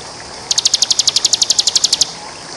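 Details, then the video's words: Champion bar-winged prinia singing a ngebren burst for training other birds: about fifteen rapid, bright, high clicking notes in a second and a half, evenly spaced, opening and closing on quiet background hiss. "Masteran ciblek JUARA full ngebren ( masterannya para ciblek juara) Suara ciblek gacor"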